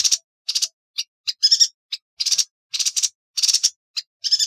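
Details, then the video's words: Yuhina song used as a training recording for songbirds: sharp, high, clipped chattering notes in short separate bursts, some trilled and pulsing, uneven spacing across the phrase, with no other sounds behind. "Burung Yuhina - Tembakannya Nyelekittt Tajamm Terpercayaa...!!"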